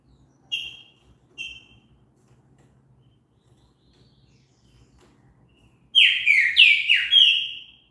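Green-winged Saltator: two short clear whistled notes, a pause, then a loud rush of rich, downslurred whistles over about two seconds.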